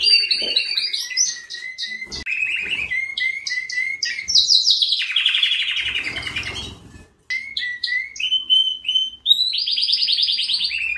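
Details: Canary song made of fast repeated chips and rattling trills, broken by a short pause, then rising whistled notes and a high bright trill.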